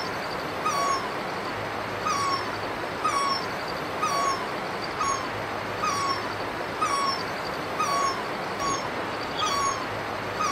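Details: Great barbet in Himachal Pradesh, India, giving about ten evenly spaced calls, each a brief rising note sliding into a slightly lower, sustained tone. The calls repeat roughly once per second against steady, hissing ambient noise.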